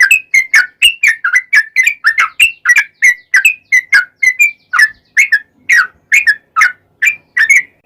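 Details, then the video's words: Extended yellow-vented bulbul song, used to get other bulbuls singing: quick, bright, bubbling whistled notes strung closely together, slowing slightly toward the end. "trucukan gacor ROPEL PANJANG buat pancingan trucukan agar bunyi"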